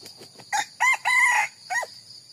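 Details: One loud crow from a red junglefowl, broken into a short first note, a clipped second, a long held third syllable and a quick dropping finish, against constant high insect buzzing.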